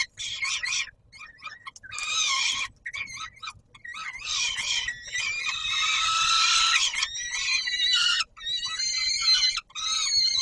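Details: Peregrine falcon at the Palace of Culture and Science in Warsaw, Poland, recorded 17 July 2022 at feeding time: loud, harsh, rasping wails in uneven bursts with short silent breaks between them.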